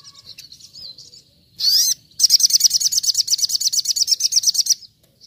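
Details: Ruby-cheeked sunbird (sogon) singing a wild-style "shooting" song: very high, thin, soft twittering, then a sharp rising whistle, then a fast, sputtering trill of rapid repeated notes lasting about two and a half seconds.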